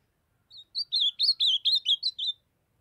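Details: A brown-plumaged young ultramarine grosbeak of northeastern Brazil delivers a single fast, sweet phrase of about nine clear slurred notes, bouncing up and down in pitch over roughly two seconds, otherwise quiet.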